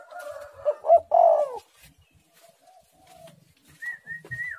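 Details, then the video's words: Spotted dove in active song with a pressing voice: a short run of mellow coos ending in a drawn coo, then quiet, followed by a thin higher whistle from another bird near the end. "tekukur super gacor suara menekan rapat"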